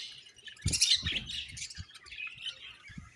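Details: A burst of loud, high budgerigar chirps and squeaky warbling, then softer chatter, with low tapping sounds underneath.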